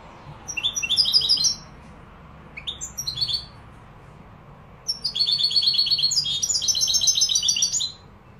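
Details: European goldfinch from Malaga, Morocco, singing: a short tinkling phrase, a pair of sharp chips, then a longer three-second stream of rapid, chattering, high twitters and trills in a quiet room.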